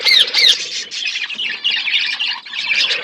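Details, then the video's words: Budgerigars in a flock eating food: two sharp rising squawks open, followed by continuous overlapping warbles and chirps from many birds. "Beautiful budgies flocks birds eating food birds chirping sounds"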